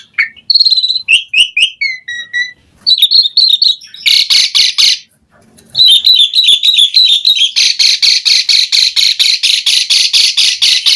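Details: Asian pied starling singing on a lure track intended to make starlings reply: chirps and whistles alternate with long runs of rapid, harsh rasping notes.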